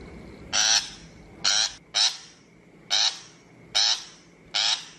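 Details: Shrike trapping lure call: six coarse, rasping notes delivered fairly briskly, about one per second, one pair close together, over a steady faint drone.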